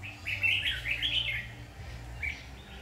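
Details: Red-whiskered bulbul on a trapping outing, with bright warbled phrases of rapid slurred whistles weaving around two to four kilohertz, then a brief pause and a shorter closing note over low background hum.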